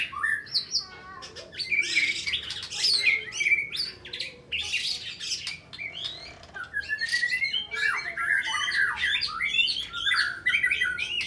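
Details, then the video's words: Contest white-rumped shama in 'nyujud' fighting style, bearing down on an opponent with sharp 'tembakan' phrases taken from small birds. A long, rich mix of harsh rasping bursts, rapid chatter and clear whistled notes, rising and falling continuously. "Murai Batu Tarung Gaya Nyujud Nekan Lawan Dengan Isian Tembakan Tajam Burung Kecil"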